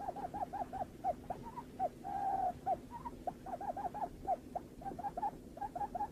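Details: Lineated barbet calling in quick bursts of short, hollow, hooting notes, broken by one longer drawn-out note near the middle, then resuming its fast, even run of repeated notes.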